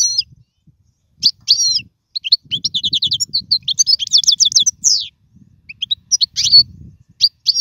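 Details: European goldfinch singing for the instruction of young birds, kept in a cage: sputtering high chirps leading into a lively run of rapid twitters and trills, then scattered bright notes.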